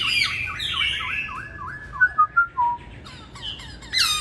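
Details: Masked laughingthrush song in the style called bắt cô chói cột: a run of rapid downslurred whistles, then a few loud clipped notes and a closing burst of high chatter.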